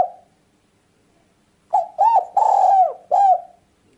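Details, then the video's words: Spotted dove calling, used for luring birds: a low, hollow cooing phrase of four notes, the first short, then a long drawn coo, ending with a shorter note, after a pause of silence. "Mp3 burung tekukur ampuh"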